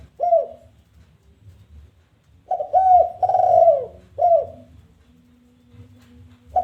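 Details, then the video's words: Spotted dove challenge call, 'kuk 1' style, for luring other doves to answer. One short coo, a pause, then a full phrase of a double note, a long throaty coo and a short falling coo, followed by a low hum. "Suara Menantang Tekukur Kuk 1"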